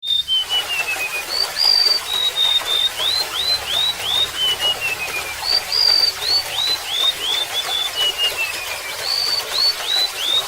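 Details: {'__skip__': True}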